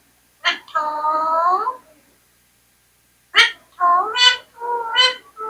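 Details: Talking Indian parrot: a sharp click followed by a long, steady, nasal speech-like note, a pause of over a second, then a quick series of three or four rising-and-falling harmonic syllables in a mimicked phrase.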